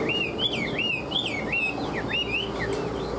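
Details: Tame Chinese hwamei of the five-part "ngũ trường" song style, a good fighter, repeating bouncy looping whistles that rise and dip rhythmically, roughly two per second, over a low background hum.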